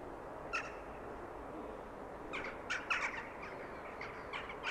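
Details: Wallcreeper (Tichodroma muraria) foraging for insects and spiders on the old stones of a château's north façade in Rochechouart, France, 10 December 2015, gives short, harsh, slightly buzzy call notes, one early, then a quick cluster and a final few, over steady rushing background.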